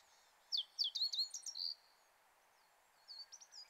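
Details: Wild Brambling in the mountains of the Kanto region, Japan, in late March, recorded with a shotgun microphone: a quick burst of high, sharp chirps for about a second, then a few fainter, higher chirps after a pause.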